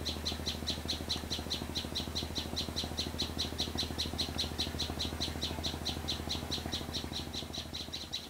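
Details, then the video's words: A sunbird singing in a back garden in the Vietnamese countryside gives a fast, even series of thin, high ticking notes, about four per second, over a steady low mechanical hum. "Chim Sâu Hót"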